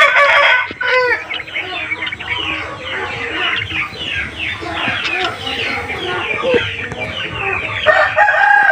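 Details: Around 9–9:30 in the morning, a flock of chickens still shut inside their house keeps up a dense, overlapping chorus of clucks, squawks and rising cackles while a white rooster is let out first; a man talks faintly underneath.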